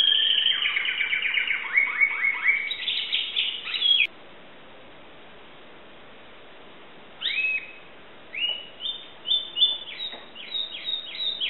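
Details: Greek Timbrado canary song in two bursts separated by a pause: rapid repeated down-slurred notes forming a rolling trill, then spaced, separate chirped notes.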